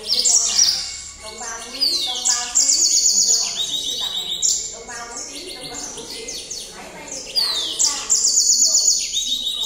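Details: Yellow canary singing at night: fast high trills and rolling buzzy phrases, some notes sliding downward, in bursts with short pauses; faint voices underneath.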